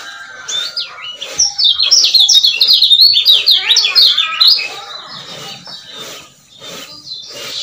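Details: Male lemon-bellied white-eye recorded in Lombok as a lure to get stalled birds singing again; a steady three-second stream of fast, high, up-and-down chirps, then quieter scattered notes and background twittering.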